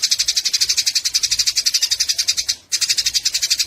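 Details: Eurasian tree sparrows chatter harshly during a fight, a fast, ragged series of high, scratchy chirps, briefly interrupted by a short gap toward the end before resuming.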